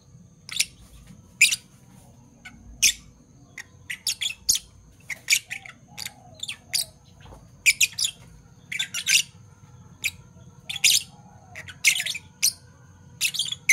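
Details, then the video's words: Two Fischer's lovebirds, a parblue violet and a parblue turquoise, in the morning: sharp, high, harsh chirps in short bursts, scattered irregularly with quiet gaps between them over a faint steady hum. "Lovebird Chirping Sounds - Parblue Violet Fischer & Parblue Torquoise Fischer"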